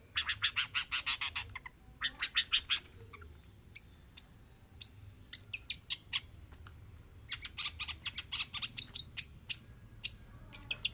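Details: Captive long-tailed shrike, hand-reared and now grown, delivering rapid scratchy rattles and harsh clicking series, interspersed with short high notes and quick chattering runs, with short gaps between bursts.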